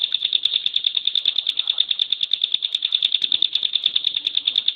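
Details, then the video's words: Contest-bird bar-winged prinia (ciblek pinus) giving its super-dense "tembakan" song: high, metallic notes fired in a relentless regular train, with light scratchy noises underneath. "TEMBAKAN SUPER RAPAT..!!! CIBLEKPINUS GACOR"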